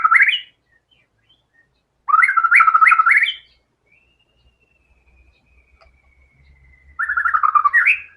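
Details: White-rumped shama singing vigorously and showing its full range of learned filler phrases: three bursts of fast, chattering, repeated notes with rising whistled ends, separated by pauses of about two seconds, with a thin sustained whistle in between.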